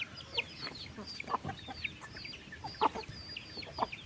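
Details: Chickens on a farm at afternoon feeding, dated 15 August: irregular clucks about once a second, mixed with thin high chirps from the flock.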